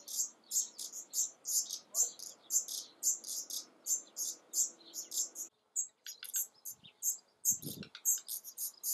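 Black redstart giving thin, high chirps repeated about twice a second, with a short pause midway and a brief low knock near the end.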